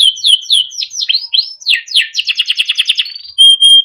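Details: Melodic training song of a Timbrado canary: a string of upward-swooping whistles, then a quick rolling trill, and finally pure, piercing whistled tones repeated in short bursts.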